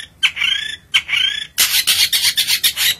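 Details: Long-tailed shrike song from a kept bird: two drawn-out nasal, slightly falling calls, then a rapid run of loud rasping grating notes.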